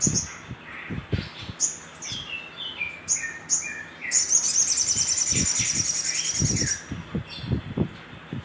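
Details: Little spiderhunter lure call to stimulate other birds: high thin chips, then a fast buzzy rattling trill lasting about three seconds, with lower falling whistles and intermittent low thumps.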